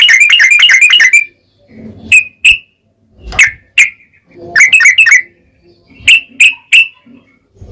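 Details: Yellow-vented bulbul singing, played to stir other bulbuls to sing: a quick burst of ringing chatter, then scattered single and paired sharp notes separated by brief gaps with faint background rustle.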